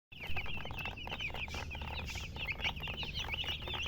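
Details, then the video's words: Baby chicks chirping steadily, a crowd of high, short, down-slurred peeps overlapping continuously over a low rumbling hum and scattered clicks. "Baby "Chicks Chirping" Sound"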